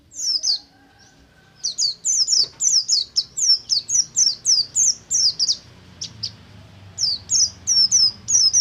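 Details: Singing oriental white-eye of the Buxtomi kind in ngalas style, a lure to get other white-eyes singing; after a short opening note, a quick, even run of high thin falling chips, then a brief gap and more.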